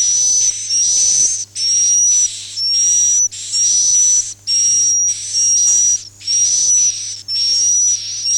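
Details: Repeated swiftlet chirps, "Akau ngaji" style, with eight or nine loud buzzy bursts in a steady rhythm a little under a second apart, each carrying a thin, slightly rising whistled tone.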